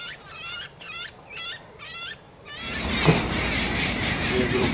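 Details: Large grey babbler calling while feeding a young hawk-cuckoo: five harsh, ladder-like chattering bursts about half a second apart in the first half, then the calls give way to broadband rustling and handling noise.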